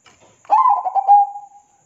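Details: Zebra dove (perkutut) masteran song: after faint soft notes, a loud phrase of bubbling, stuttered coos flows into a long level purring trill that dies away. A weak high hum is also present.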